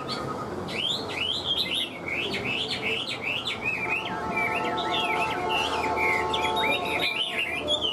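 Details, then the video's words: Caged hwamei, a bird kept for singing and fighting, delivers a fast, varied run of loud whistled notes that swoop up and down, with phrases slurring into each other almost without pause over a low hum. "Họa mi vip đuôi lá vả cứng, hót cực tốt đấu tốt"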